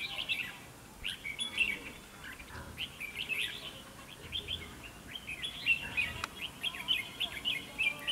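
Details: Red-whiskered bulbul used as a decoy in a fighting trap, singing to provoke rivals: bright warbled phrases of quick rising and falling notes, repeated in a loose run of bursts over faint background noise.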